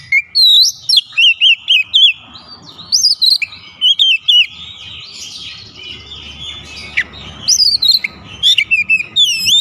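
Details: White-rumped shama song, probably a caged bird: loud clear whistled notes, many with rising or wavy slurs, given in quick bursts with short gaps, pausing midway before resuming.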